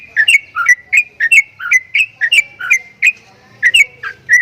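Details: Javan myna with strange-sounding notes: crisp paired chirps, one dipping and one rising whistle, repeated in a bouncy rhythm about once a second, then a short pause.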